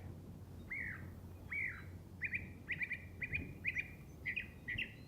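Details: A Northern Mockingbird in Lancaster County, which mimicked killdeers and blue jays, sings two clear arched whistles, then quick doubled and tripled chips repeated about twice a second, over a low room hum.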